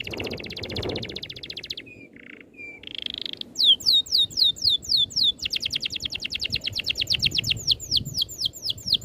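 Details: Oriental magpie-robin, dense rolling song. It opens with buzzy rattling trills and a few lower mellow notes, then crisp high downward-sweeping whistles and long fast trills.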